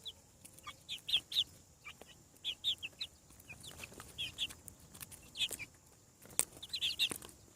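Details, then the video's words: Newly hatched farm chicks peep loudly in piercing, falling notes, often in runs of two to four, with pauses of about a second, plus a few sharp taps. "Chick sounds. Hatching From Egg"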